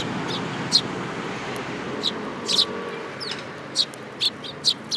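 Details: Sparrows coming to a hand for food at a Tenmangu shrine, 7 July 2022; sharp chirps and a brief cluster, over a steady rumbling background of traffic-like noise.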